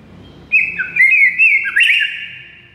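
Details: Song of a white-rumped shama used to trigger silent shamas into singing: a warbling whistled phrase wavering up and down, with a brief harsh flourish before a sustained whistle, light hum underneath.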